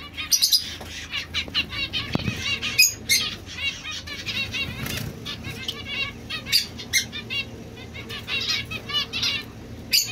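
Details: Domestic Society finch sounds: sharp clicks and buzzy, wavering chirps coming in quick bursts across the stretch, with a low background hum.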